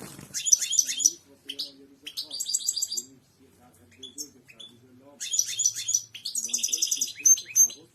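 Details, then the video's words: European goldfinch singing, offered as a tutor recording for teaching caged birds: quick bursts of high, tinkling, buzzy twitters with short pauses between them. The middle stretch is quieter, with soft lower chirps and rustling, before loud twittering resumes. "اقوى تغريد حسون الملكي"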